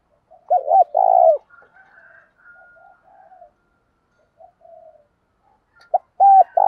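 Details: Spotted dove used as a lure bird, cooing to provoke rivals to fight: phrases of short and longer low rounded coos, with a quiet pause of faint softer sounds between bursts.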